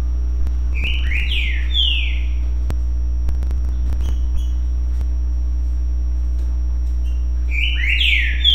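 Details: Green-winged saltator singing the "currucutill" song type: two rich whistled phrases of quick slurred, falling notes, each about a second long, separated by a pause, over a steady low hum.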